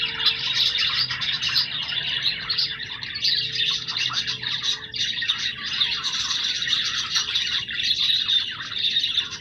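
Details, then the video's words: Pet budgerigars chatter nonstop with busy, high twittering and scratchy chirps that layer over one another, while a low steady hum runs underneath. "periquitos australianos"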